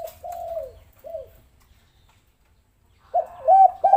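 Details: Spotted dove calling in a lure recording meant to get lazy doves to start calling; two drawn-out and short arched coos open the clip, a quiet pause follows, then a fresh burst of coos near the end.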